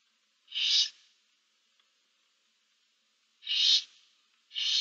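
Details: Seven barn owl chicks in a nest box, 15 March 2024, give three short rasping hisses, the first two spaced about three seconds apart and the last following soon after.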